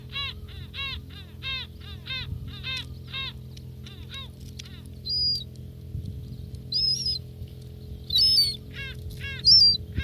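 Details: Gulls feeding at close range in Northern Kazakhstan, giving a run of repeated harmonic, downslurred calls in short bursts, then a few sharp high whistled notes, over a steady low hum.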